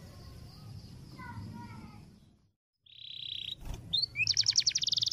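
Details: Canary long roll training song for other birds, faint at first over background hiss, then after a brief silence a steady whistled note, a click and a loud rapid rolling trill.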